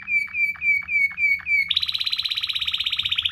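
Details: Canary singing Waterslager-style 'ngerol' rolls for tutoring other canaries: five ringing whistled notes dropping slightly in pitch, then a rapid, even, bubbling high roll with about ten pulses per second.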